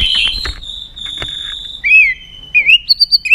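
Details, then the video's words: White-rumped shama song for training: a sustained high whistled tone with some rustling, then fluid slurred whistles and a final quick string of short bright notes. "luyện chòe lửa hót nhiều giọng"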